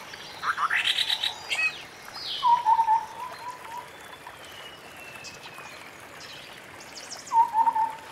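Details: Forest setting with chattering songbirds, and a White-browed scimitar babbler repeating a short run of low, hollow whistled notes twice, roughly five seconds apart, against a faint background of chirps.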